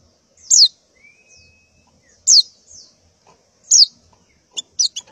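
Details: Morning calls of a female white-eye in breeding condition seeking a mate: three loud, high, steeply falling chirps about one and a half seconds apart, ending in a quick burst of short notes.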